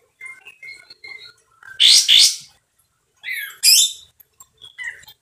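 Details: Sooty-headed bulbul in vigorous song, described as loud and harsh: short whistled notes, then two loud raspy bursts, more slurred whistles and another harsh double burst.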